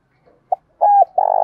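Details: Spotted dove call used to excite a male into cooing: a brief soft note, then a drawn-out smooth hoot, then a throaty, burry trilled coo. Nothing else is audible.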